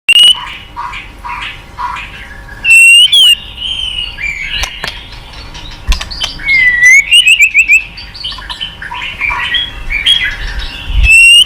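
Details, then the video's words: White-rumped shama (murai batu) lure song for a bird reluctant to sing: rapid, layered whistled phrases and trills, with sharp clicks and abrupt rising and falling notes packed closely together. "Pancingan MURAI BATU MALAS BUNYI Sekali putar langsung NYAUT ,GACOR & BONGKAR ISIAN"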